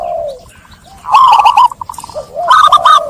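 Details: Zebra dove lure song for stressed doves: a soft drawn note, then a fast loud burst of clipped coos, a quick stutter and a final looping phrase.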